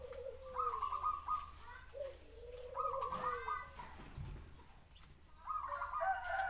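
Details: Zebra dove singing three phrases, each a low sliding coo followed by a fast bubbling trill of higher notes, with brief human voices in the background.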